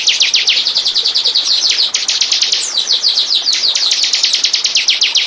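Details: Bar-winged prinia song used as a lure recording to attract birds: a fast, steady series of sharp, downslurred high chirps, about seven per second, pouring on without pause.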